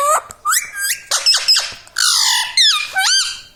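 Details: Pet parrot speaking 'mummy papa' indoors. It gives a rapid string of bright, voice-like syllables, with bending, harmonic-rich tones that swoop up and down, broken by a few short pauses.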